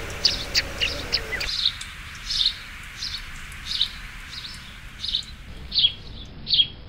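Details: Chirping sparrow: scattered sharp chirps, roughly eighty a minute, irregular in spacing, with soft background noise.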